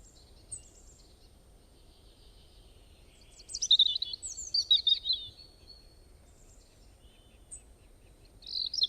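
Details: A single bird with many kinds of calls gives a scattered, twittering burst of high chirps and buzzy notes in the middle, then a brief squeaky phrase near the end, against a quiet background.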